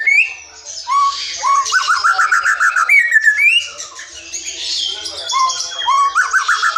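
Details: Forest white-rumped shama song, played as a lure to get silent or young shamas singing: a rich, varied stream of clear whistles, rising slurred notes and rapid chattering trills in quick succession, with no other sounds.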